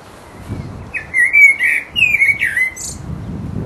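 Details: Resident blackbird in full voice giving its mating song: mellow fluted warbling phrases, each closing in thin high squeaky twittering, delivered over about two seconds against quiet low background rumble.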